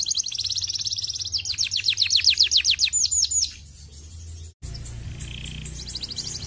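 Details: Canary singing to stimulate other canaries into song: a fast series of repeated high notes, nearly four per second, rising in intensity, then a brief pause and softer trilling resumes after a short break in the sound.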